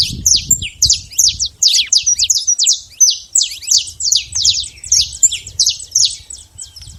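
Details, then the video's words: Saffron finch singing in the wild: steady series of sharp, high, sliding chirps repeated nearly three times a second, with light low background noise. "canário da terra livre na natureza"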